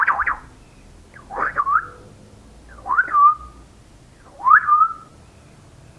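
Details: African grey parrot whistling: four loud whistled phrases, each starting with a quick upward sweep, then a dip and a level, held tone, repeated every one and a half seconds.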